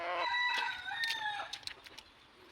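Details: Loud crow from a kept red junglefowl, stepping down in pitch and trailing off over about a second and a half, followed by faint clicks.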